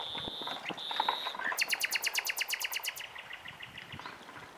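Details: Common nightingale among bushes, heard on a bike ride on 27 April 2021: steady whistled notes, then a fast rhythmic train of about fifteen sharp repeated clicks, over faint background rustle.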